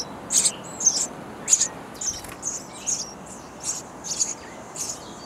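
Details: Baby sparrows calling loudly from a bird house while parents deliver insects; rapid, hoarse, high chirps follow one another in uneven bursts, strongest at the start.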